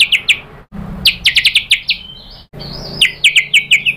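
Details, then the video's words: White-rumped shama, a fighter-type singer, used as a lure to rouse a rival into answering; crisp high chirps repeated in quick runs, broken by a short gap, then a rising whistled note and more rapid chip series. "pancingan MURAI BATU GACOR FIGHTER ampuh untuk menaikkan emosi biar NYAUT BONGKAR ISIAN | SHAMA BIRD"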